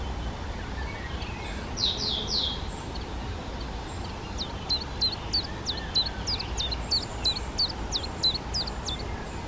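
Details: Spotted flycatcher parents feeding nestlings at a half-open nest box on the back wall of a garden hut. A replacement clutch, with two young raised. A quick series of thin, high hooked calls, each a sharp upward flick, repeated several times a second after a few slurred notes.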